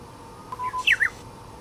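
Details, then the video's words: Uguisu, the Japanese bush warbler, perched on the end of a withered branch, giving one song phrase: a level held whistle breaking into two fast, sliding, emphatic notes, over quiet background. "身近な野鳥 ウグイス"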